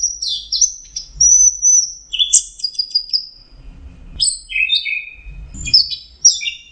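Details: Anis merah, the orange-headed thrush, in full song with sweet sustained whistles, sharp downslurred notes and rapid chattering phrases, varied and mimic-like, with faint low background noise.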